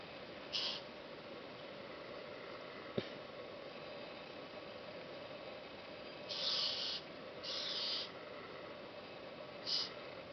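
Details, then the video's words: Fawn-breasted bowerbird (Chlamydera cerviniventris) giving harsh, hissing rasps in short bursts of about half a second: one early, then three close together later and a final one near the end, over steady background hiss with a single sharp click. "Namdur Coklat-Fawn-breasted Bowerbird (Chlamydera cerviniventris Gould, 1850)"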